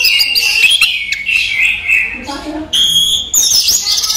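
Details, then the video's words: Orange-headed thrush kept in a cage, singing in daytime, pours out quick slurred whistles and sharp notes, interrupted by a short lower, harmonic-rich passage before bright high whistles resume. "ANIS MERAH SI RAJA TELER"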